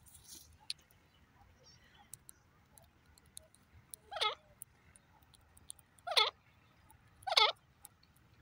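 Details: Grey francolin calling: three loud, stacked, rattling call phrases at about 4, 6 and 7 seconds, each around a third of a second. Faint clicks and a quiet background between phrases.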